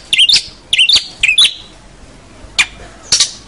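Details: Long-tailed shrike song used as a master recording for training young birds: clusters of sharp, chattering high notes in quick bursts, separated by short pauses, then single clipped chips.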